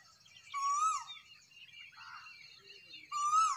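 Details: Cuckoo heard at sunrise giving a loud, clear upslurred whistle, repeated about two and a half seconds later, with a fainter chorus of twittering, warbling birds filling the gap between calls.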